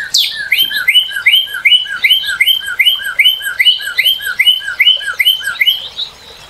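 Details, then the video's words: Northern cardinal singing a steady series of slurred whistled notes, each sweeping down then up, repeated about two to three times per second for over six seconds in a quiet setting. "Cardinal:Découvrir le chant et la beauté du Cardinal du Nord"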